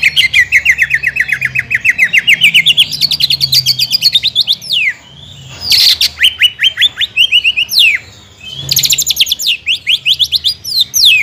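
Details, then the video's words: Rapid rolling trill of a greater green leafbird, dozens of quick repeated notes climbing slightly, followed by steep downward whistles and harsh chatter bursts; used as a lure to trigger singing. "PANCINGAN CUCAK IJO GACOR NEKAN DAN NEMBAK"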